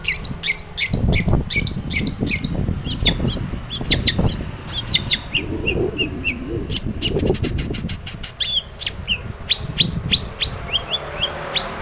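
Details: Busy long-tailed shrike song with fast runs of high ticking notes and short upward whistles, set against continuous low rumbling background noise.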